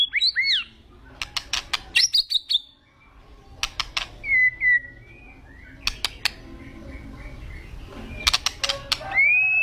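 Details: White-rumped shama described as agitated or raging. Clear whistled notes and slurred phrases are broken by bursts of sharp, dry clicking strokes, with quieter gaps between the phrases.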